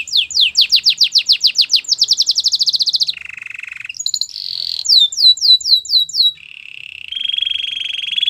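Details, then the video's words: Spanish Timbrado canary singing a fast run of falling whistles that speeds into a ringing trill, then lower buzzy rolls, a short burst of falling notes, and a long steady buzzing trill. "Spanish timbrado singing"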